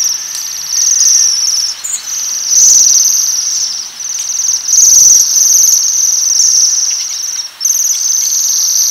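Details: A flock of waxwings feeding on different coloured rowan berries keeps up a very high, metallic trilling chorus, nearly continuous with brief dips. Faint low thumps are heard now and then.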